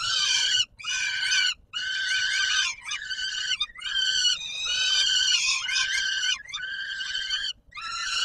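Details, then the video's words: At feeding time on 17 July 2022, a peregrine falcon calls at the Palace of Culture and Science, Warsaw, Poland. Loud, grating, harmonic screeches come in long bouts, broken by brief silent gaps. "Sokół wędrowny PKiN Warszawa - Chłopaki wstawać kolacja"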